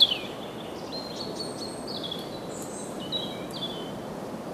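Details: A European robin perched in the Kennemer dunes at Heemskerk, Netherlands, sings thin, high, wistful phrases of sliding and trilled notes broken by short pauses, over a steady background of wind and rustling leaves.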